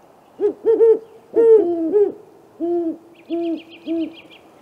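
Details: Great horned owl pair at a great gray owl snag nest, April 21 at 8:50 pm, during a 15-minute visit caught on a live camera. They give rhythmic deep hoots, one voice slightly higher, then a thin high trill at the end.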